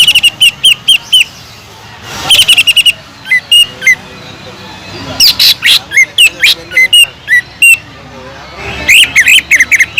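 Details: Greater green leafbird singing lively with a prized kingfisher (tengkek udang) imitation, used to lure and train other leafbirds; sharp high chirps, fast chattering bursts and short falling whistled notes, scattered irregularly with brief pauses.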